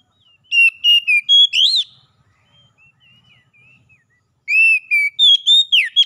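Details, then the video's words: Song of an oriental magpie-robin, used as therapy to make captive birds sing often: rich rapid whistles, quick notes repeated about four per second, a soft twittering interlude, then another loud whistled burst. "KICAUAN TERAPI PEMULIHAN SEGALA MASALAH KACER CEPAT GACOR"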